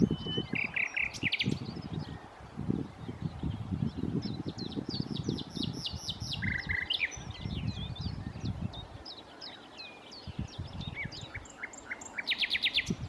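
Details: Singing nightingale at Challow Hill near Corfe, 4 May 2015: dense chirps, a quick buzzy trill, and scattered whistles, ending with a fast repeated burst, over steady wind noise.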